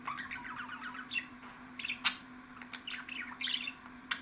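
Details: Budgie sound for driving pet parakeets wild: busy twittering warble with scratchy notes and a few loud sharp clicks, several birds chattering at once over a faint steady hum.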